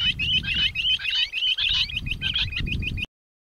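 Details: Rock bush quail calling: rapid, high, squeaky chirped notes repeated about three times a second in an uneven run, over a low rumbling background, stopping abruptly after three seconds.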